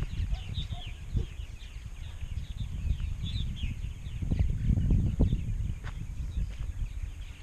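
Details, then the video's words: Purple martins at a large colony in Rainsville, Alabama, which held 920-930 pairs in 2016. Many birds chatter at once in dense, overlapping downslurred chirps, with steady low rumbling wind and handling noise beneath. "Large Purple Martin Colony"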